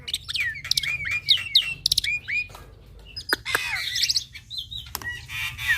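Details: Young black-winged myna in active song, full fill-in master recording meant to train other mynas: a run of quick bent whistles and chirps, a quieter pause, then rasping, buzzy chatter and clicks over a soft low hum.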